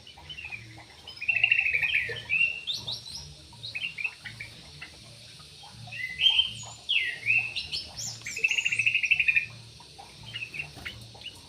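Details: Javan pied starling, known for its dancing, delivers repeated harsh, buzzy chatter with upward-sweeping whistles and high squeaks, in loose bursts about every two seconds over a low hum.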